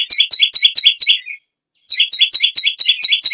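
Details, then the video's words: Loud, persistent song of a bar-winged prinia: quick high, sharp two-pitched chirps in a burst, a short silence, then a second rapid series. "BURUNG PERENJAK BAWAH/LUMUT GACOR NGAMUK PARAH"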